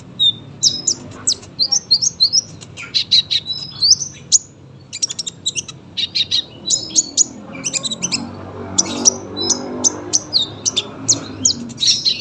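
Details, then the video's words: Long, energetic sunbird song with quick runs of sharp high chirps and trills, steady rhythm of short notes throughout, over low murmuring background noise. "KOLIBRI GACOR PANJANG SUARA RAPET"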